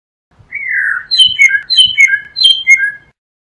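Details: A blue mockingbird sings a long falling whistle followed by a flowing series of clear paired whistled notes, some stepping downward; faint low thumps occur in the background.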